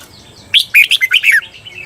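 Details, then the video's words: Red-whiskered bulbul from Thailand, recorded for training cage birds in the doubled 'berl' style, giving one lively phrase of rapid, slurred chirps that dip and rise, over faint background noise. "เสียงฝึกเบิ้ล นกกรงหัวจุก เปิดสอนเบิ้ลยาวๆ เบิ้ลได้แน่นอน"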